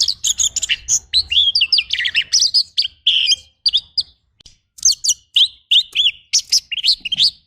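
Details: Oriental magpie-robin rough fill-in song used for training: a fast, continuous stream of short, varied chirps and twisting whistles, with one brief pause midway.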